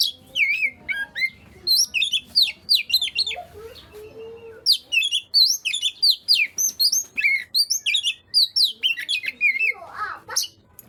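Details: Oriental magpie-robin singing to stir idle magpie-robins into song: a long, continuous stream of varied whistled phrases, steep up and down slurs, a few lower notes, and steady chirping.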